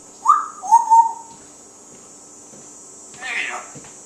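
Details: One-year-old African Grey parrot talking indoors, recorded August 13, 2012, with dogs barking in the background; a few short whistled, speech-like syllables near mid pitch, then a pause and a brief harsher burst.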